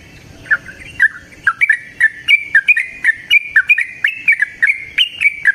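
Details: Yellow-vented bulbul singing in the wild in the rapid 'ropel panjang' style; a continuous stream of quick warbled notes, slightly rising overall, several per second.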